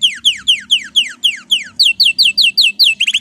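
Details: Male canary in excited breeding-season song, delivering a series of sharp, downslurred whistled notes repeated about four times a second, then a higher, tighter run of the same notes, ending in quick doubled chirps.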